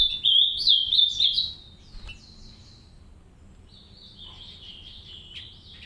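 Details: A captive green-winged saltator pair tending three chicks in an aviary; a loud, quick zigzag twitter for over a second, then quiet, then a fainter steady high chatter.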